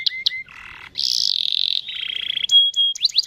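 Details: Long rolling canary song meant to set other canaries singing, made of shifting sections: short clear whistles, a low buzzy rattle, a loud fast high trill, a steadier mid trill, then a flat whistle and quick upswept notes.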